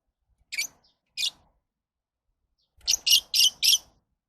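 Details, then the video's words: Lovebird giving shrill, rasping chirps: two separate notes, a pause, then a rapid run of four harsh screeches in quick succession. "Love birds Sounds"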